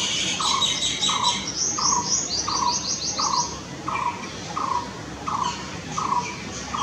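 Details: Blue-throated barbet (Psilopogon asiaticus) call: short, hollow, mid-pitched notes repeated steadily about every three-quarters of a second, with higher twittering from other small birds over it, one of them a purple sunbird according to a comment.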